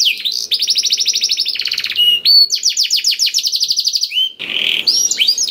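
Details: Blackthroat-filled canary singing to coax others into song: opening whistles, a long fast rolling trill, short level notes, another rapid trill series and a closing harsh buzzy phrase.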